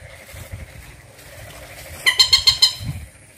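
A rail gives a quick burst of five harsh, rasping notes, about six per second, after a second of faint background hum.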